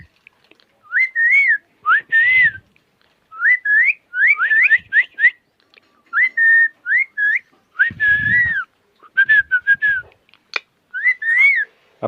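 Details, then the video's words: A 25-plus-year-old pet parrot kept in a Konkan village whistles repeatedly, short looping rising-falling notes in bursts of two to four, separated by brief pauses, with occasional scratchy rustling underneath. "My Village Parrot🐦 Voice so Amazing"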